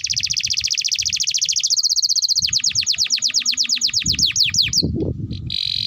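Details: Canary singing long tutor song for young birds: dense fast trill gradually turning into separate repeated falling notes, then a short buzzy burst after a pause.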